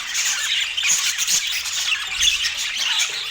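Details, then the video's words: Budgerigars chirping during a meal, filmed in natural Scandinavian light; a dense, continuous wash of high, scratchy chatter from many birds with no music. "Sweet Chirping Sounds During a Relaxing Healthy Meal"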